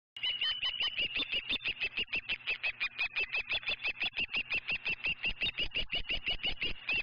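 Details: Osprey at the Dunrovin Ranch nest, calling in a fast, steady series of sharp whistled chirps, about three per second, each with a slight upward inflection, continuing without pause for over seven seconds.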